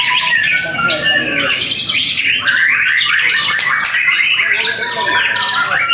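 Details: White-rumped shama in an Indonesian singing contest, performing for the first time after moulting in new plumage and bowing as it sings. Rich, varied whistled phrases with rising and falling notes and quick chattering trills, overlapping with other birds singing and crowd noise.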